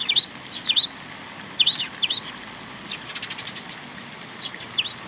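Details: At a Tenmangu shrine on 18 May 2021, juvenile sparrows seeking food utter clear, twisting high chirps in pairs, then a fast chattering run, followed by a few more scattered notes.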